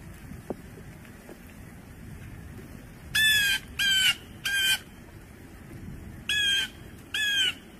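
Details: Blue jay giving five loud, harsh, nasal calls in two bursts: three evenly spaced, then a pause and two more. Each call is short and raspy with a slight downward slur. A low steady background hum sits beneath.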